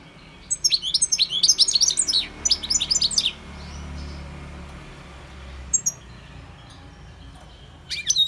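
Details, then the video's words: Wild goldfinch in song: nearly three seconds of fast, jumbled twittering with tinkling, slurred chirps, then sparse single call notes after a long quiet pause. "GOLDFINCH SINGING"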